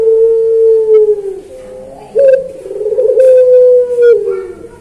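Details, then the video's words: Barbary dove of the puter pelung singing style, used as a master recording for trainee birds. One sustained low coo slides downward, then a second long coo begins abruptly and holds steady before tailing off. "Masteran Puter Pelung Manggung Atau Berbunyi"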